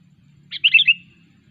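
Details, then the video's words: Sooty-headed bulbul in training. One short bubbly phrase of four or five quick, high, liquid whistled notes lasts about half a second and trails off slightly lower, over a faint low hum. "Ngelatih burung kutilang Cengkram"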